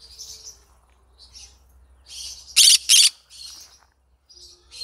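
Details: Yellow-sided green-cheeked conure giving soft raspy chatter, then two loud harsh squawks in quick succession, followed by quieter scratchy notes.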